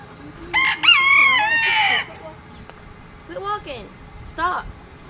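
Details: A Golden Sebright rooster crows once, loud and harsh, with a rising then drawn-out, strained note. Shorter, quieter crowing calls follow in the background.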